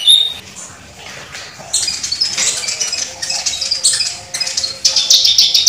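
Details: Olive-backed sunbird (kolibri ninja) producing fast, scratchy, high twittering chatter in uneven bursts, opening with a couple of thin high notes.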